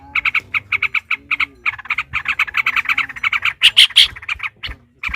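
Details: Yellow-vented bulbul (trucukan) in a long rapid-fire 'ropel' song, used as a fighting bait to rouse other bulbuls into singing: dense bursts of bubbly, chattering notes in quick succession, pausing briefly before louder, harsher notes near the end.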